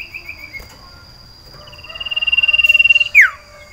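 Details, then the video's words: Sirtu (common iora) in breeding condition, caged, calling for a female: soft opening notes, then a swelling pulsed trill on a steady pitch that snaps into a sharp falling slur. "Lantunan Sirtu Birahi Mencari Lawan Betina Cipow"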